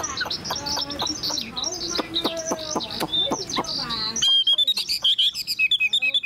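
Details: Tame pet Chinese hwamei with a fanned tail, from Vietnam. Clattering clicks and a ringing, harmonic noise come first. Then clear, loud whistled song phrases follow in rapid, evenly spaced bursts.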